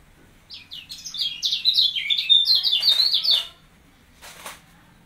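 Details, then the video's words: Kecial kuning kept caged and trained by being placed near another bird, giving a quick sequence of rising and falling high chirps for about three seconds, then a short rustling burst. "Melatih Mental Kecial Kuning"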